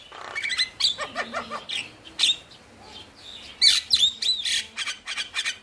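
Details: Male Javan myna singing to coax reluctant birds: harsh scratchy notes and high whistles in a steady run, a short lull, then a loud dense burst of rasps and whistles.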